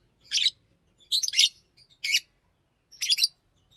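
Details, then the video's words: Green Fischer's lovebird chirping: four harsh, grating chirps, some doubled, about one per second, over a faint low murmur. "Lovebird singing and chirping sounds-Green Fisher"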